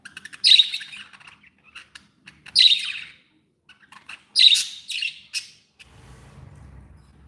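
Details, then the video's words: Happy pet budgies calling: three bursts of bright, scratchy chirps and warbles about two seconds apart, linked by quieter ticks, ending in a low hum. "Happy budgies sound"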